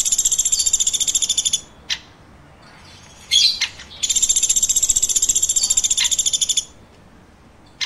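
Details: Chirping woodpecker: a fast, high buzzing trill, a pause with a few sharp taps and a brief squeaky burst, then a second long pulsed trill.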